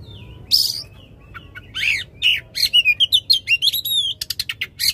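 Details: Loud oriental magpie-robin song used to coax a non-singing magpie-robin back into voice: scattered harsh notes give way to a fast string of slurred whistles and crisp chips, ending in rapid staccato bursts.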